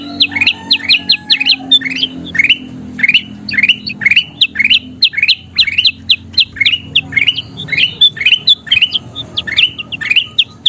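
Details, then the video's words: Kutilang emas bulbul in lively song meant for training birds to sing. Sharp slurred chirps swoop down then up and repeat rapidly and evenly throughout, with a low background hum. "SUARA KUTILANG EMAS GACOR"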